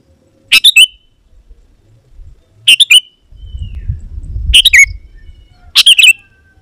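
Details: Sooty-headed bulbul singing to call in wild birds of the same species: four quick chirpy phrases with downslurred endings, over a low rumbling background noise in the middle.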